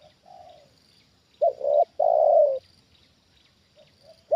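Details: Spotted dove, a trained decoy bird reacting to a wild bird brought down near it, giving a loud three-part cooing phrase, two short coos then a long drawn coo, with a fainter answering coo before and after; steady high insect hum behind.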